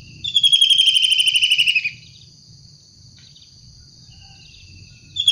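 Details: Wild long-tailed shrike giving one loud, grating, rapidly pulsed call that slides slightly downward for about one and a half seconds, followed by near silence with faint low background noise.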